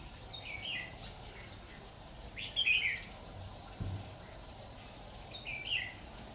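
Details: Red-whiskered bulbul used to lure birds into a trap, 26 October 2019; fainter, scattered short warbled phrases separated by gaps of a few seconds, with a low thump and faint background noise.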